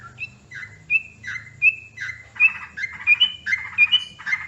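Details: Sooty-headed bulbul lure sound used to attract birds for trapping: short bright whistled notes alternating with harsh, buzzy chattering bursts, repeated roughly every 0.7 seconds. The notes become denser and more overlapping toward the end, over a faint low hum.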